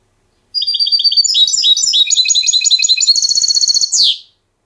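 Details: Trained European goldfinch in silvestrismo clean song, styles Diego Murcia and Zujareño: a long continuous phrase of varied quick twittering and trilled notes, shifting into a fast even rattle and finishing with a sharp downward sweep.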